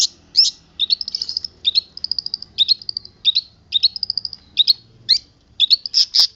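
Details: Long-tailed shrike, a local bird from Boja, in mimicking isian song: clustered bursts of high, quick twittering notes, some in rapid trilled runs, separated by short pauses, over quiet low background hum.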